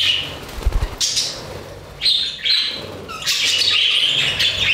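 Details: Budgies in an aviary give scattered chirps and a long scratchy warbling chatter, with low fluttering or thumping noises early on and a steady background hiss.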